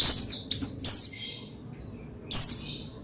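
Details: A pleci, the Oriental white-eye, sings to set off another pleci: three brief, very high, sharply descending twittered bursts with pauses between them.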